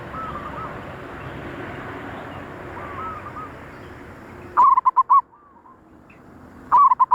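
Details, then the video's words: Zebra dove coos used to lure wild doves: faint rolling coos at first, then two loud, distorted bursts of rapid staccato notes a couple of seconds apart, over low steady background noise. "suara perkutut paling ampuh utk pancingan perkutut liar"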